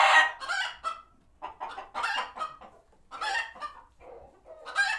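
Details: Chickens on a farm sanctuary reacting to a passing hawk, alarmed and heading for their coops; loud raspy clucks and squawks come in short bursts separated by brief quiet gaps, several birds calling over one another.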